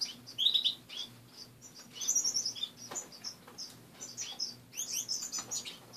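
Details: Several caged finches kept as pets call after dawn, a short buzzy trill opening, then bursts of high thin chirps and twitters separated by brief pauses, low hum behind.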